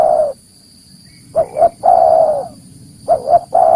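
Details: Spotted dove lure sound for catching wild doves: a two-note stutter followed by a long, mellow, slightly falling coo, repeated, with a steady high hum behind.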